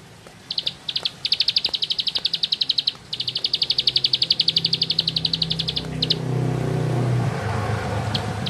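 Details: Bar-winged prinia (ciblek sawah) in fast ngebren delivery: brisk high chips in several runs, then a passing vehicle's roar rises and drowns the end.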